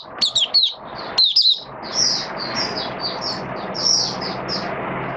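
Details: Caged Oriental white-eye, rainy weather, October 2022: a burst of sharp, high twittering in the first second and a half, then a series of softer high chirps roughly every half second over steady hiss.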